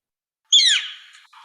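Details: Gilded flicker (Colaptes chrysoides), a non-migratory saguaro nester of the Sonoran Desert in Arizona, gives its distinctive call: one loud, harsh, downslurred scream that fades quickly, followed by a faint raspy tail.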